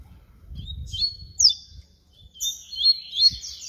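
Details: Flute-style song of a papa-capim baiano: drawn-out whistled notes with sharp upward slurs, followed by a brighter warbling burst, over soft low background noise.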